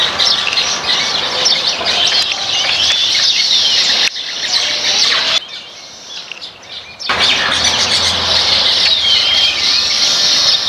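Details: Flock of Baya weavers eating grains in a backyard, giving a dense, continuous chorus of high, overlapping chirps and twitters, briefly dropping to near silence midway before the busy chattering resumes just as loudly.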